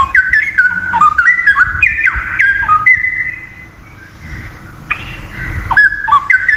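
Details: Straw-headed bulbul from the wild, in full vigorous song: a rapid bubbling run of loud whistled notes stepping up and down, one long steady whistle, a brief quiet pause, then more liquid warbling. Soft low background hum.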